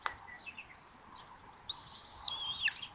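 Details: A Common Buzzard chick in a nest at Tiszalök, Hungary, on June 8, 2022, while two young share food: one long, high whistle that drops steeply at its end, after faint chirps over steady background hiss.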